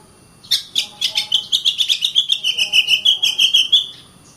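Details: Oriental magpie-robin (kacer) in continuous 'gacor rapat' song meant to spur reluctant birds to sing and fight: a fast, even stutter of about seventeen whistled pulses, slowly dropping then holding pitch.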